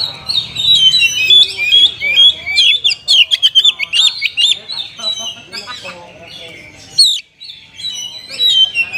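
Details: Oriental magpie-robin singing kapas tembak-flavoured phrases: wavering whistles and quick chirps blend into a busy jumble, then a brief pause before more whistles.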